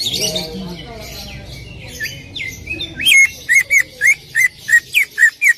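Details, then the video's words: Greater green leafbird song played to prompt another leafbird to sing: varied slurred whistles and chatter, then a steady series of about nine loud sharp upward-hooked whistles, evenly spaced. "PANCINGAN CUCAK IJO AGAR BUNYI"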